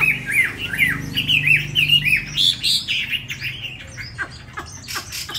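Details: Tame caged Chinese hwamei, newly arrived the previous evening, Hanoi, Vietnam: a run of loud, clear, slurred whistled notes that rise and fall, then softer, scattered chirps as the phrase fades, indoors.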